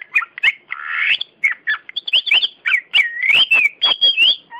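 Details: A caged champion Oriental magpie-robin (kacer) sings a varied song of clear whistles. Sharp clicking notes and a buzzy rising phrase mix with sliding whistled notes that run almost continuously.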